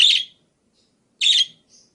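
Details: Varied budgerigar calls meant for training other birds to sing: two scratchy, broadband chirps just over a second apart, followed by a soft high peep.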